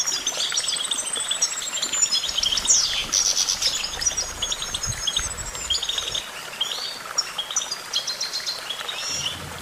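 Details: Goldfinch delivering a long, fast twittering song of high tinkling notes and buzzy trills, with a thin descending whistle early on and a low background rumble.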